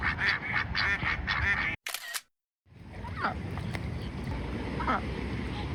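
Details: A female Pekin duck, swimming and calling loudly non-stop to attract a male for courtship, gives a run of loud, harsh quacks in quick succession, then a brief click and silence before quieter background noise.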